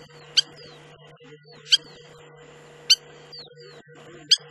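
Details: Spur-winged lapwing at Agamon Hula, Upper Galilee, Israel: four hard, clipped tick notes spaced more than a second apart, each trailed by a soft falling whistle, with a constant low hum underneath.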